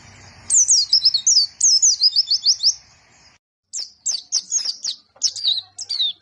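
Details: Lively white-eye song: a long, rapid string of high, sharp, downslurred chirps, a brief pause, then more spaced, thin twittering notes.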